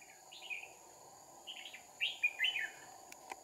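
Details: Red-whiskered bulbul singing during a trapping session with two decoys, 2 April 2019: a soft phrase, then louder rapid warbled notes building up, with a couple of sharp clicks and an insect drone behind.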